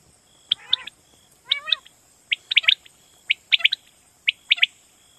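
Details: Night-time Common quail repeating bright, clipped three-syllable calls about once a second, with a couple of softer warbled notes early on.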